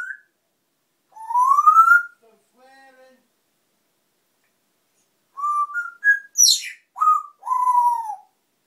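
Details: Pet African grey parrot, described as noisy, sliding up through a long rising whistle, muttering softly, then firing off a burst of short whistled notes and a sharp descending squeal before a falling, drawn-out whistle.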